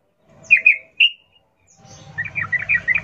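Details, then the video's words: Sooty-headed bulbul in wild-style 'ngalas ropel' song, used as a lure to prompt captive bulbuls to sing: two short bright slurred notes, a pause, then a rapid jumble of chattering notes over a faint low rumble. "Trucukan gacor NGALAS ropel Khas alam liar ini ampuh untuk pancingan trucukan agar bunyi GACOR"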